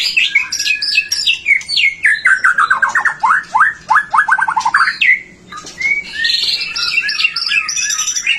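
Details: White-rumped shama song used as a prompt for other shamas: high chattering phrases, then a loud run of about fifteen descending hooked whistles, followed by a buzzy, warbling high passage.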